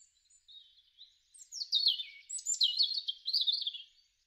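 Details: Spring garden song of a European robin, March to April 2013: a quiet thin opening note, then a tumbling run of high, liquid warbles and fast trills rising and falling in pitch, fading out at the end.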